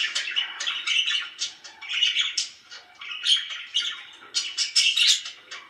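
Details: Very happy pet budgerigars babble nonstop, mixing buzzy squawks, sharp tweets and soft clicks in a dense, uneven warbling chorus.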